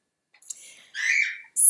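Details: A pet cockatiel indoors at home gives a harsh, scratchy squawk sliding down in pitch, followed by a shrill high screech; a faint earlier chirp precedes it.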